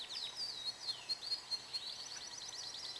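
A canary sings high, bright phrases: sweeping whistles and sharp chips, then a fast run of repeated downslurred notes, over a faint steady hiss.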